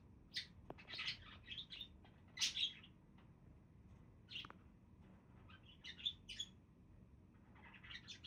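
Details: Budgies chatter in uneven clusters of high chirps and scratchy squeaks, with pauses between bursts, faint hum in the background.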